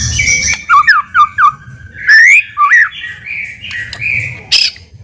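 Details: White-rumped shama song serving as a lure to prompt a response: varied clear whistles, looping and rising, with a few sustained whistled notes and a harsh burst near the end.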